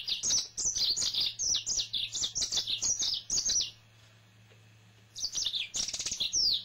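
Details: Singing male yellow-fronted canary, a pet, pours out a steady stream of sharp, rapid, high chirping notes, pauses about a second, then resumes with a buzzier trill; faint low hum behind.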